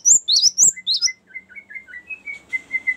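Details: Cinereous tit giving a few loud, high whistled notes of its 'ngerol' rolling song, used to lure wild birds and train captive ones, followed by a softer run of lower chirps from another bird.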